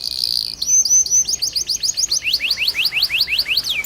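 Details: Canary in 'gacor' rolling song used to coax young canaries into singing: a sustained buzzy trill opens, then quick chirps and a fast series of rising whistled notes repeated several times a second.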